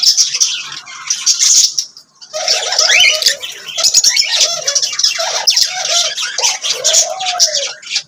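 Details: Lovebirds chatter in high, shrill chirps, pausing briefly, then resuming alongside lower warbled and cooing notes from the group.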